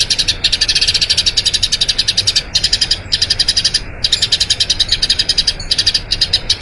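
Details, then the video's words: Eurasian tree sparrow in a long rolling song meant as training audio for other birds: runs of quick high chirps lasting one to two seconds, broken by brief silent gaps. "Masteran Burung Gereja Ngerol Panjang"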